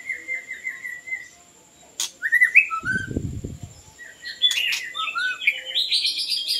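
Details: Song of the white-rumped shama, played to lure birds: opens with a run of repeated whistled notes, then gliding whistles, a low thudding noise, and a climbing series of high sweet phrases.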